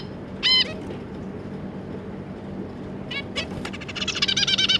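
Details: Zebra finches, adults with their three juveniles, one nasal honking call, then quiet, then a burst of rapid buzzy, chattering notes at the end, with a steady background hum.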